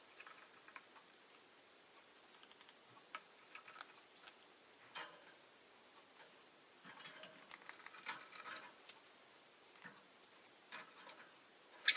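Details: Faint, scattered ticking and scratching clicks in a quiet room, with no clear animal call.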